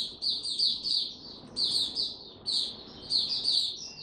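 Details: White-eye in song on a warm, very humid day, 26 March 2022: bursts of high, twittering warble lasting about a second, separated by brief gaps, over a steady low background hiss.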